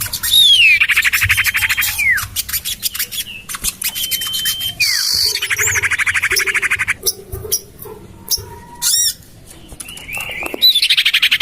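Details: Common iora lure sounds meant to attract birds, tested in a garden beside a house: dense buzzy chattering, level whistles with falling slurs, and scattered harsh squawks.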